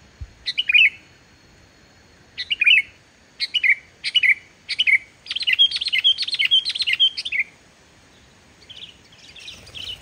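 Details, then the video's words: Sooty-headed bulbul singing energetically without mimicked phrases, played to stir quiet bulbuls: several short falling whistled phrases, then a rapid chattering run of repeated bright notes. The run ends in softer scattered chirps. "suara burung kutilang gacor tanpa isian, ampuh buat pancingan burung kutilang yg male bunyi"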